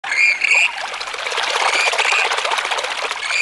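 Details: Western grebes walking on water: high, grating, creaky calls at the start and end, with a rush of rapid pattering splashes across the water in between.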